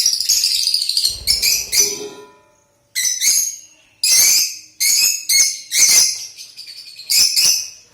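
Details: Pet Lutino lovebird calling: loud shrill harsh screeches in bursts of about half a second, repeated with short gaps, each piercing and rasping, with a brief soft lower chatter early on.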